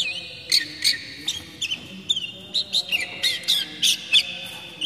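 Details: Oriental magpie-robin (kacer) base song, used to lure wild young birds and to prompt moulting birds to sing: a fast run of short, sharp whistled notes, about three per second, over a steady high hum.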